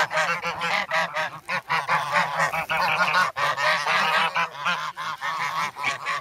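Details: Young geese, now grown, crowding hungrily for bread in snowy Sloterpark, Amsterdam, 3 February, filmed with a Sanyo-SH1. Dense, overlapping nasal honking from several birds runs almost without a break.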